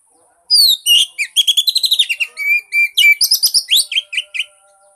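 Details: Energetic song of an Oriental magpie-robin used to prompt a silent kacer: falling whistles, then fast chattering trills and clear whistled notes in varied phrases lasting about four seconds.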